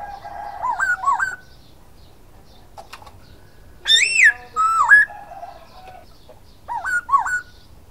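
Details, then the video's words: Silver-eared laughingthrush singing loud, clear whistled phrases: wavering, rising-and-falling notes in short bursts, a strong arched whistle near four seconds, then a looping two-note phrase, with quiet gaps between. "Khướu bạc má hót"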